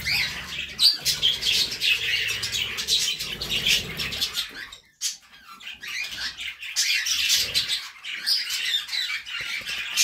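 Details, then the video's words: Budgerigar song from several birds, a scratchy, rapid chirping warble with harsh squawky notes, dropping to near silence for a moment halfway through, then returning in busy bursts. "budgies song"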